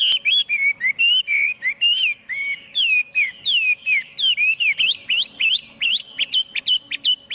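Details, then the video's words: Chinese hwamei singing with no background noise: a fast run of clear, looping whistled phrases, each note rising then dipping, repeated in quick succession and growing higher and sharper toward the end. "Tiếng chim hoạ mi hót không tạp âm"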